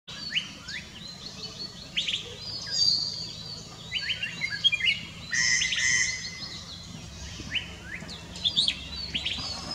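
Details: White-bellied treepie (Dendrocitta leucogastra) calling at Thattekad Bird Sanctuary, southern India, in March 2019: harsh, metallic chirps and buzzy notes in irregular bursts with a brief clear whistle midway, while other small birds chirp in the background.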